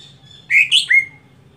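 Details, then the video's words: Greater green leafbird giving its monotonous everyday song, which the owner wonders will gain varied phrases in contests: a quick burst of three clear, slurred, high, varied whistles over a faint low hum. "Cucak Hijau Harian Monoton Bisakah Keluar Isian Saat Lomba"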